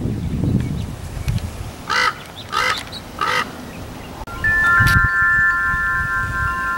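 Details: Common Raven calling outdoors in the San Fernando Valley, California, on 1 October 2024: three hoarse, harmonic croaks spaced about 0.6 seconds apart, followed by steady electronic tones and a low rumble of wind.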